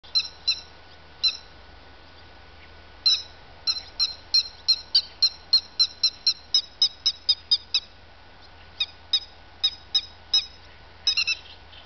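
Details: Grey-headed lapwing giving sharp, squeaky, high notes with a ringing edge, some in quick pairs, then a rapid run of about twenty evenly spaced notes with short gaps between bursts. Faint steady low hum underneath.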